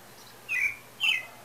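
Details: Pale-breasted thrush in song, breeding season believed near: two short, bright whistled notes about half a second apart, the second slightly higher, against faint hiss.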